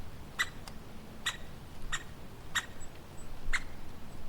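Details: Woodpecker giving short sharp call notes, five clear calls spaced about half a second to a second apart, against a low rumbling background.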